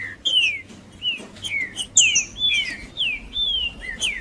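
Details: Green-winged saltator giving its macheando song, played to warm up other saltators and get them singing. Clear whistled notes slide downward, each about a third of a second, repeated in a quick irregular string with a few higher sharp accents.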